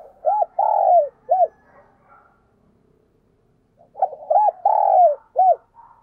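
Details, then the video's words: Lure spotted dove calling to attract wild doves: two loud phrases of clear cooing, each a short hooked note, a long drawn-out coo and a final short coo, separated by a silent gap of about two seconds. "Chim Cu Mồi Đẹp Mã Thúc Và Gáy Gọi Bổi Căng Đét"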